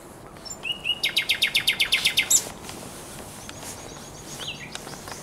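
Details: Common nightingale singing on the Żerań Canal on the night of 23–24 April 2022: a few thin whistles, then a rapid run of about twelve loud, sharp repeated notes ending in a harsh flourish, followed by quieter high notes.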